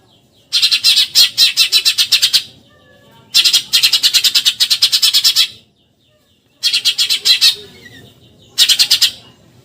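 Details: Eurasian tree sparrow 'tembakan nyerecet' tutor chatter: four bursts of fast, grating high chirps, the first two about two seconds each, followed by shorter volleys with brief silences between.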